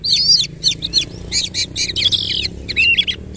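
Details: Oriental magpie-robin singing with energetic rolling phrases and a fanned tail: a dense run of high warbled whistles, quick slurred sweeps and rapid stuttering notes, nearly continuous, over faint low background noise.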